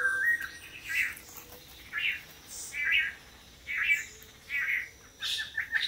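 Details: Costa Rica lek where several pairs of male long-tailed manakins take turns in courtship display: a run of short, harsh, buzzy calls roughly every second, with faint high chips from other birds behind.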